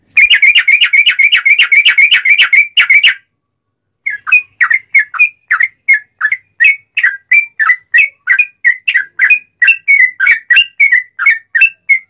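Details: Loud bulbul song in the straw-headed-bulbul style, meant to train and prompt other sooty-headed bulbuls to answer: about three seconds of a rapid, even run of whistles, a second of silence, then a long series of varied short whistled notes, roughly three per second.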